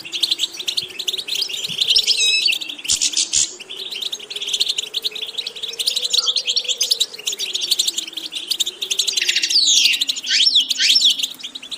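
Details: European goldfinch singing, from training material for diverse, attractive vocal repetitions: continuous fast twittering and tinkling trills, with buzzy descending slurs near the end over a steady, gently wavering low hum.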